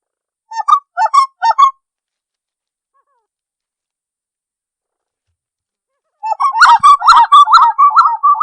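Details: Spot-winged wood quail, locally called uru or capoeira, from Serra dos Órgãos National Park near Teresópolis, Rio de Janeiro: a clean song of three quick rolling whistled phrases, a long silence, then a rapid run of repeated mellow phrases.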